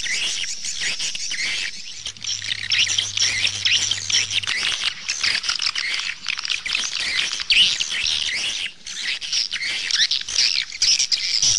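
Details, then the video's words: A long stretch of crowded swallow chatter: high, overlapping chirps and squeaky trills, steady and unbroken, with a faint low hum. "เสียงนกนางแอ่น Swallow Sound"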